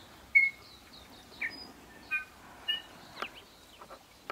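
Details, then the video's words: New Zealand bellbird (korimako) sings in native scrub and bush near Greymouth on 8 April 2023: a string of clear, mostly high bell-like notes and short chiming phrases about half a second apart over quiet background. "Bellbird (korimako)"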